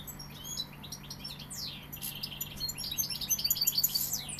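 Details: Sevillian goldfinch song: quick jangling twitters with swooping downslurred notes, building into a louder, rapid tinkling burst near the end, against a faint steady hum.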